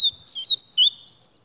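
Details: Close, loud song of a 'Gladiador' papa-capim (double-collared seedeater): a brief set of bright, bending whistles, one long descending slur and a rising twist at the end.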